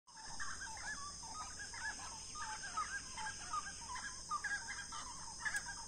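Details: On the banks of the Itapicuru River, grey-cowled wood rails sing a loud, raucous chorus of overlapping cackling phrases, repeated without pause, over a steady high insect drone.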